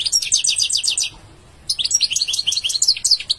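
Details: A goldfinch singing: rapid, high, tinkling twitter of repeated liquid notes, a brief pause, then a second bright burst of mixed chirps and trills.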